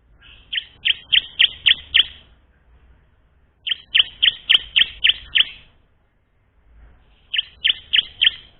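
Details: Olive-backed tailorbird song used to train other tailorbirds to sing: three bursts of sharp, high chirps, six to seven notes each, rapidly repeated about five per second with short silent gaps between bursts.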